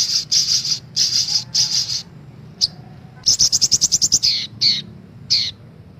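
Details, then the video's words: Female sunbird lure calls for caged birds: several long, harsh buzzy high notes, then a rapid run of ticking chips and a few downslurred buzzy notes. "PANCINGAN SOGOK ONTONG , SOGON AGAR CEPAT BUNYI"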